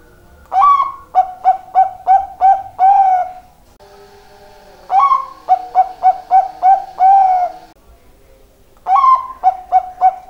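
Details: Zebra dove calling actively: three phrases of rapid, mellow cooing notes, each run of six or seven short hoots ending in a longer drawn note, with brief quiet gaps between phrases and no other clear sounds.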